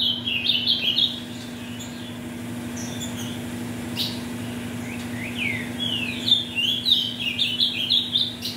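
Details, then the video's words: Warm-up song of a captive ultramarine grosbeak, offspring of mutation parents, for tournament birds: a warbled whistled phrase, a quieter stretch with scattered notes, then a long burst of rapid rising and falling whistles; faint low hum throughout. "ESQUENTE seu AZULÃO em 5 MINUTOS"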